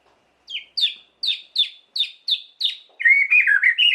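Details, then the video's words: Provocative White-rumped shama singing, meant to stir other shamas: seven loud downslurred whistled notes in quick succession, then a rapid, jumbled warble. "Lengkingan KICAU MURAI yang satu ini wajib disimak untuk pancingan emosi Murai Batu"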